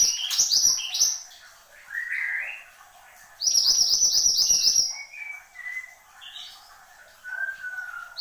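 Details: Horsfield's babbler (mantenan gunung) singing eagerly: a rush of high chirps, a rising trilled whistle, a pause, a loud long stream of rapid high twitters, then softer, lower, drawn-out whistles.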